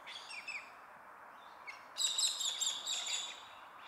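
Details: On a winter day in southeast Queensland bush, Galahs with a nest in a tree hollow give harsh, grating screeches in a loud burst of about a second and a half, after fainter scratchy chirps, with a soft background hiss.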